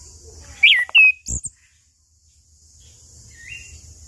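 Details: Chestnut-capped thrush singing, a recording meant to set off silent birds morning, noon and evening; a couple of bright, sliding whistled notes and a short click, then quiet with a soft high hiss and one faint whistle late.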